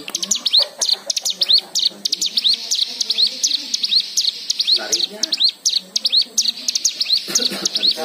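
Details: White-eye song used to coax other birds into singing, full of varied fill-in phrases: rapid, busy, high upswept chirps in near-continuous bursts with soft lower notes beneath.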